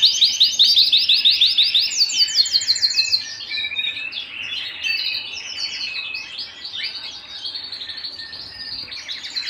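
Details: Canary singing at home opens with loud, rapid rolling trills of repeated notes for about three seconds, then shifts to softer, varied chirps and twittering phrases.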